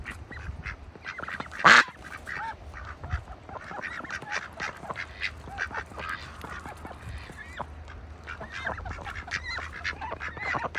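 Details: Farm ducks in a bucket during winter, calling with rapid short nasal quacks and chatter throughout, one loud harsh call near the start standing out, with a low background hum.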